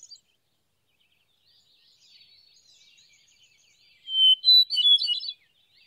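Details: Song of a hermit thrush recorded in the USA: faint, distant warbling phrases at first, then a loud, clear introductory whistle followed by a rapid, ringing cascade of higher fluty notes that ends abruptly.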